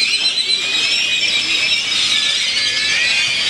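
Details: Loud flock of birds in Granada's main square, Nicaragua, producing a continuous high-pitched chatter of overlapping squeaks and thin whistles, steady in volume throughout, with only faint low background noise beneath.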